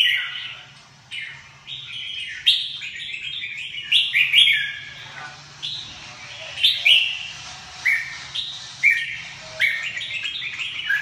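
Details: Red-whiskered bulbul, labelled "củi lửa", giving bright, chattering warbled phrases of short slurred notes, bursts coming about every second and overlapping, with a steady faint low hum underneath.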